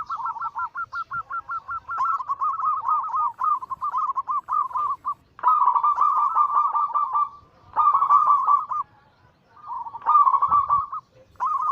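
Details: Zebra doves, local and Bangkok-cross perkutut kept as songbirds, in a chorus of rolling cooing song: rapid stuttering notes running into bubbling trilled phrases, several birds overlapping in near-continuous bursts with short pauses.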